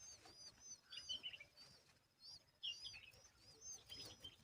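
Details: Asian babbler guarding its babies and removing bugs; repeated high, thin chirps and squeaky slurred notes come in irregular bursts about every second or two, with faint rustling underneath.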